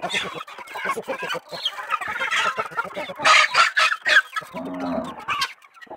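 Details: Farmyard chickens in the Brazilian countryside cluck and cackle in quick, irregular bursts, several birds calling over one another, with a short low harmonic call near the end.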